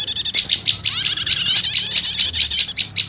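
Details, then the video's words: Prenjak lumut and prenjak setater prinia sounds mixed as a lure for wild birds: sharp staccato high chirps, then a rising note leading into a continuous buzzy, wavering trill. "Suara Pikat Burung PRENJAK LUMUT Kombinasi Prenjak Setater"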